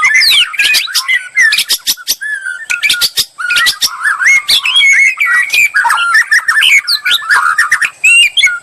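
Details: Bait song of a white-rumped shama meant to draw a reply, a dense run of clicks, chattering bursts and bright whistled slurs, repeated phrases about every second.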